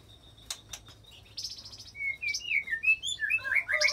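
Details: White-rumped shama song packed with mimicked cililin phrases and long canary-style rolls, played to provoke other shamas into singing; a few sharp clicks first, then varied bright whistled slurs and quick warbled notes building in loudness.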